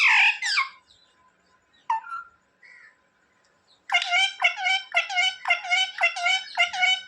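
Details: Pet parrot imitating speech, heard as a loud opening phrase, a few soft squeaks, then a rapid series of about ten short, even, voice-like syllables, indoors.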